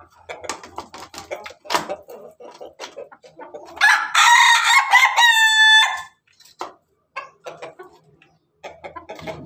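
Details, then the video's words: Ayam Ketawa cock with hens at dawn: steady soft clucks and pecking-like ticks, then a two-second loud crow ending in a clear, wavering harmonic tone, then more clucks. "Ayam ketawa jago berkokok dengan ayam ayam babon pagi hari"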